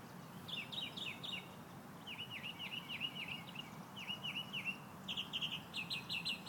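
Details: Morning birdsong in Central Florida, with series of bright, down-slurred chirps repeated in quick groups of three to five, then faster clipped high notes near the end, over a constant low rumble.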